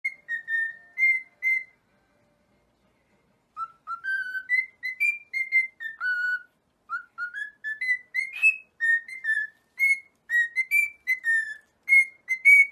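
A cockatiel whistles a tune of clear, pure notes, sliding up and down in short phrases.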